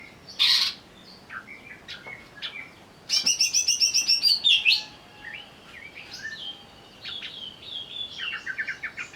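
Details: Greater green leafbird in a lure recording meant to provoke agitated singing: loud high chattering bursts, then a rapid run of about a dozen sharp pulsed notes, followed by scattered whistled slurs and quick chips.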